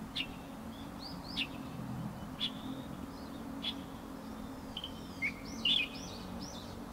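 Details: Light-vented bulbul giving short, clear calls: sharp notes and brief arched, slurred whistles scattered through seven seconds, with a louder burst near the end over a steady low background hum.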